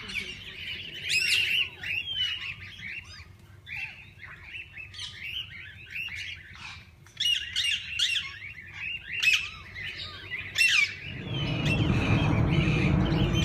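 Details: Parakeets of several kinds in a walk-in aviary at a parrot zoo, where visitors feed and hold them: busy overlapping chirps and warbled twitters in rapid bursts, then a rumbling low noise swamps the last seconds.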